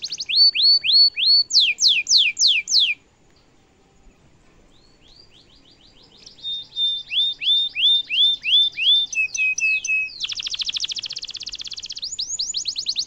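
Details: Canary in full cengkok mewah song, a tutoring song for young and adult birds: loud repeated downslurred whistles, a pause, more slurred notes, then a rapid buzzy trill and closing rising whistles.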